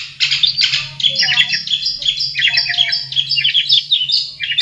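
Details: Long-tailed Shrike in natural habitat, singing a busy jumble of squeaky, scratchy high notes and short chattering phrases, with a steady low hum underneath throughout.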